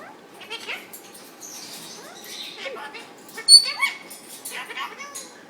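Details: Indian ringneck parakeet, a caged male, talks indoors to its owner and the bird in the cage beside him, giving quick high-pitched squeaks, buzzy chirps and bent whistle-like notes in irregular bursts.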